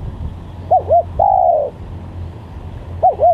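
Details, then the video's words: Spotted dove cooing, used to lure doves and to tutor birds: two brief bouncy notes run into a long smooth coo, and another short pair starts just after, over a soft low drone. "Pikat Tekukur||Untuk Masteran"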